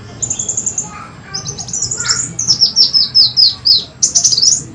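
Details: Brown-throated sunbird lure recording, a kolibri wulung pikat sound used to draw birds in: thin, very high chirps in rapid trills, then a run of loud descending slurred notes repeated about every third of a second.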